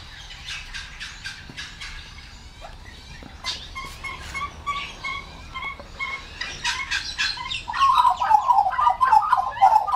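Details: Wild Australian magpies in a backyard at morning feeding, a juvenile in the group: scratchy chatter at first, then repeated clear notes and a loud rich warbling carol building toward the end.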